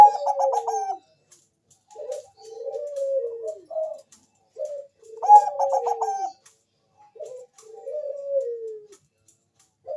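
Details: Bangkok strain zebra dove, lure song meant to make other doves respond: two phrases, each a quick rolling burst of low coos followed by longer, smooth falling coos, repeated about every five seconds in a quiet setting.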